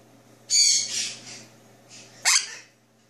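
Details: Two-year-old male Jenday conure at home, after drinking bird milk, early morning. A harsh screech fades into softer rasping, then a sharp squawk drops quickly in pitch. A steady low hum sits underneath.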